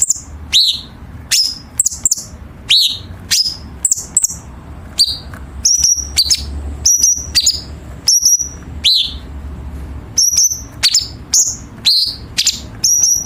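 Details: Chinese bulbul tutoring recording for competition birds, with sharp, rapid harsh fills: a long run of high upward-flicked notes, thin level whistles and short bursts, delivered steadily about twice a second.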